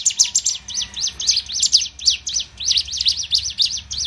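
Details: Sunda warbler learning to fight: a fast, dense stream of high, sharp chipping notes in quick clusters, continuing throughout without pause.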